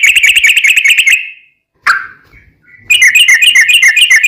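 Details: Sooty-headed bulbul as a lure for other bulbuls: a very rapid chattering trill of high, clipped notes, then a pause with one burst, then another fast rattling trill.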